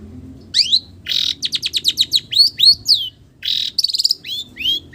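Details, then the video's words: Long-tailed shrike song copying village birds: upslurred and downslurred whistles mixed with rapid buzzy trills and harsh rasping bursts, loud and close, over a faint low hum. "SUARA BURUNG CENDET ISIAN BURUNG KAMPUNG"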